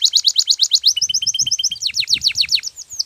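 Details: Canary training song: a steady run of quick bright chirped notes, about six per second, shifting into downward-slurred sweeps, with a faint low rumble in the background.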